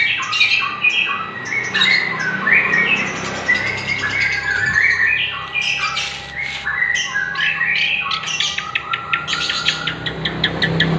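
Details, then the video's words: Dense White-rumped shama singing meant to stimulate other shamas in the morning and afternoon: overlapping rapid chatter, whistles and harsh squawky notes pour out almost without a break, with a steady low hum underneath. "Pancingan murai batu untuk pagi dan sore hari"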